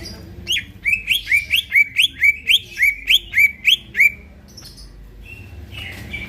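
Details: Night-time training song of a greater green leafbird in vigorous voice. About thirteen rising, upslurred chirps repeat quickly and evenly, followed by near silence and a few soft whistles.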